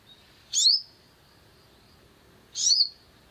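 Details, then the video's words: Long-tailed shrike used as a lure to provoke another bird into singing: two short, harsh, scratchy high-pitched bursts about two seconds apart, each under half a second, over a quiet background. "PANCINGAN EMOSI SOGON AGAR GACOR"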